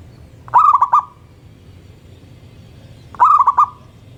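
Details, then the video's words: Local zebra dove singing in the morning, two phrases of three to four rolling coo notes each trailing into a held tone, spaced under three seconds apart, with low steady background hum. "Perkutut Lokal Gacor Manggung dipagi Hari bikin yang lain ikutan BUNYI."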